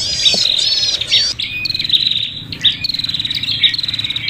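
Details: Agitated, fighting prinia calls used as a bird lure. Sharp chirps open the clip, followed by a long run of rapid, rattling high trills broken by short gaps, with a faint low hum behind them.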